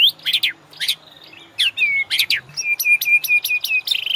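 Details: White-rumped shama master song for training caged birds to ngorak: loud sweeping chips alternating with a series of clear, slightly falling whistled notes repeated about every quarter second.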